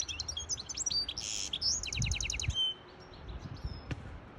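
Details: Goldfinch hybrid singing to train young birds and excite a female: a few seconds of rapid high chirps, a buzzy note and a fast rattling trill, then near silence with one click.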